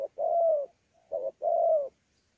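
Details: Wild-caught spotted dove from Sa Thầy, Kon Tum, Vietnam, 26 November 2019, cooing pha đấu style with gù: a long, level, mellow coo, a faint soft note, then a short note and another long, slightly falling coo.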